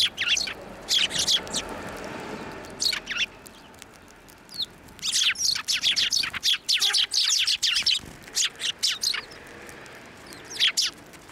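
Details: Sparrows landing on a hand to take food at a Tenmangu shrine, 11 March 2024: busy, overlapping high chirps and tweets in quick clusters, briefly easing mid-way before a final chirp.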